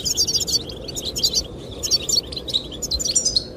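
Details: Lively goldfinch twittering sung to attract the female: fast runs of high, liquid chirps almost without pause, with wind blowing steadily below.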